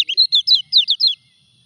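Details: Moulting common iora (kecial kuning) still singing: a quick burst of six or seven bright, high chirping notes in just over a second, each note sliding slightly, then stopping abruptly into quiet.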